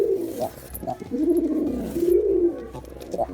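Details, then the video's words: Male Girabaj pigeon in display, short clipped notes leading into a long, smooth, descending then rising coo, followed by a second drawn-out throaty phrase. "Pigeon Sound Effect || Male Pigeon Super Performance || Girabaj Pigeon"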